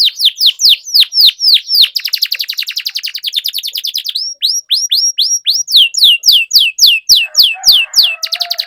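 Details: Canary in vigorous song, meant to prompt silent canaries to sing again: repeated downslurred whistles, a long rapid rolling trill, then more evenly spaced sweeping whistles at about four per second.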